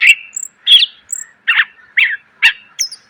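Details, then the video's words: Greater green leafbird training song for cage birds, full of varied phrases: seven evenly spaced rough chattering notes, roughly two per second, with a few faint high whistles between them. "MASTERAN CUCAK IJO SUARA PLONG!!! ..penuh isian.."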